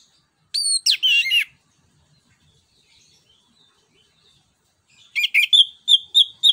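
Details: Orange-headed thrush, known as anis cacing, singing as a lure for other birds: a twisting slurred whistled phrase, a pause, then a series of short, evenly repeated clipped whistles.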